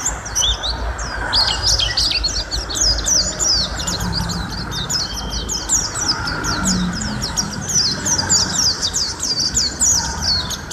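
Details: Long-running Mountain white-eye song for training cage birds: a dense, continuous stream of sharp high chirps and flicking notes that barely pauses, with a low rumbling hum underneath.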